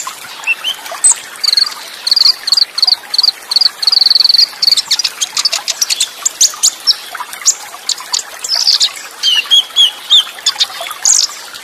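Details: Olive-backed sunbird (konin) training song with full fill, Cililin-style bursts, fast rolls and tight pauses over running water: very high, rapid chirps and short sharp trills in quick bursts, with brief gaps between phrases.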